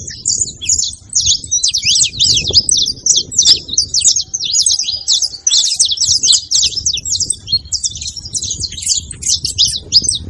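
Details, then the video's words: Long run of saffron finch song, bright rapid chirps crowded together without pause, faint low rumble beneath. "canto de canário da terra junto pra foguea e esquentar seu canário frio"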